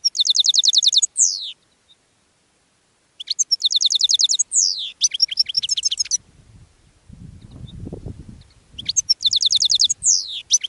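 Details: Caged European goldfinch calling out to wild goldfinches among thistles: three bursts of rapid, high, tinkling repeated notes ending in slurred buzzy twitters, separated by pauses, with a soft low rumble midway.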